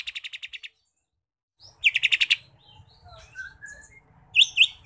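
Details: Mini green leafbird in jamtrok style, its song filled with kapas tembak phrases. A quick pulsed trill is followed by silence, then another short rattling burst, thin high whistles and two slurred upswept notes.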